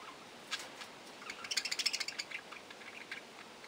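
Budgerigar chatter: quick, high chirps and scratchy warbles in a burst, several notes a second, over a faint steady hiss.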